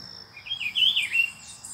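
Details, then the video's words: Rufous-browed peppershrike, one of a pair visiting near the recordist's place in Brazil; a single warbled, wavering phrase rising and falling, loudest in the middle, over a faint steady insect hum. "Pitiguari Brasil"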